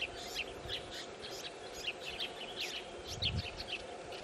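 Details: A pair of dusky woodswallows feeding three chicks at their nest in South Australia. Faint, high chirps repeat about twice a second throughout, over a steady low background hum.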